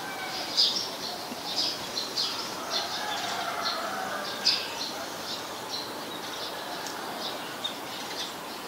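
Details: Scarlet-backed flowerpecker recorded on 7 February 2020 in Ubon Ratchathani, Thailand, with a Nikon P1000: sharp, dry, high ticking notes given singly at irregular intervals, about a dozen across nine seconds, over a steady hissy background.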